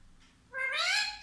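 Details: A single sustained, slightly rising harmonic utterance from a talking parrot, locally called mitthu.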